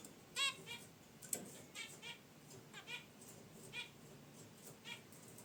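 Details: Short, nasal, trumpet-like honks from caged zebra finches resting by their wicker basket nest, repeated about every half second to second in an irregular series over a quiet indoor background.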